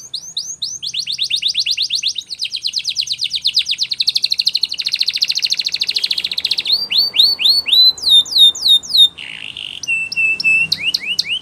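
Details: Belgian canary singing a training song: rapid repeated rising notes, then a long dense buzzy trill, followed by sharp sliding whistles, short rolls and quick falling chirps. The singing is continuous and high-pitched, with faint low background hum.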